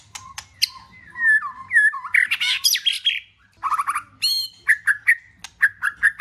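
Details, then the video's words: White-rumped shama song used to stir a pet shama into singing: a varied run of clear whistles, slurred notes and harsh buzzy bursts, then a fast series of short repeated chirps near the end. "Nếu Chòe Lửa Nhà Bạn Không Chịu Hót Hãy Mở Video Này !!Video Kích Lửa Chòe Lửa Hót"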